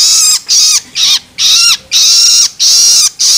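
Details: Long-tailed shrike juvenile begging, used to stimulate adults: six harsh, rasping squawks, some short and some drawn out, repeated quickly with brief pauses.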